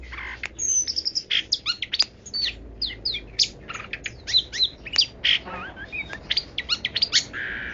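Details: Long-tailed shrike pouring out a varied 'kaya rasa' song: a fast, dense medley of whistles, slurred chirps and scratchy notes with a brief rattling trill in the middle.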